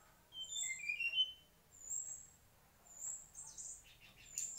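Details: A mangrove-origin mangrove whistler opens with a quick run of pure whistled notes stepping up and down, then pauses between thin, very high single chirps, ending in a brief burst of scratchy twitter.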